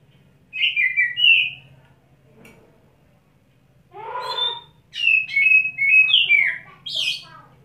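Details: Oriental magpie-robin after wet setting, holding one perch while puffing up in display and pouring out its learned fill-in phrases: loud whistled slurred notes around high pitch in two bursts, a buzzy mid note, then rapid descending whistles over low hum.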